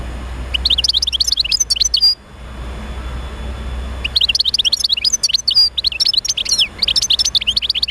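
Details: Stimulation song of a European goldfinch meant to get other goldfinches singing. Two long bouts of rapid, ringing twitter with slurred whistled notes, separated by a two-second pause. A steady low hum continues underneath.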